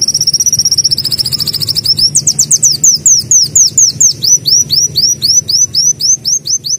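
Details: Continuous mbeset singing by a sunbird (kolibri daun) imitating a canary. A fast high trill of clipped notes for two seconds gives way to a steady series of bright, curving whistled slurs about four per second.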